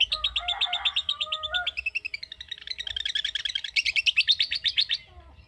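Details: Lovebird trilling in the long 'ngekek' style: a fast chirping series, briefly broken by a lower warbling phrase, then resuming with louder, sharper chirped notes before stopping near the end.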